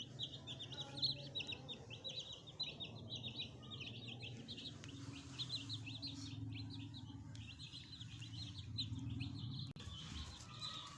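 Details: A group of newly added pet chicks with their hen: dense, continuous high-pitched cheeping from many birds for about ten seconds, with low background rumble and a short break near the end.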